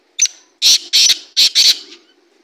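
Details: Black francolin (kala teetar) calling: a brief thin opening note, then four loud, harsh, scratchy bursts delivered in two quick pairs, with quiet background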